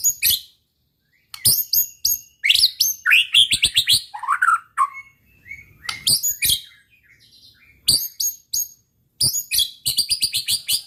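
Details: White-rumped shama singing to provoke rival birds: loud bursts of sharp, high, crackling notes mixed with lower warbles, separated by brief pauses.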